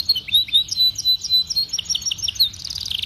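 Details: Canary song used to train young canaries: sharp high whistled notes and chips in an uneven sequence, ending in a fast buzzy trill.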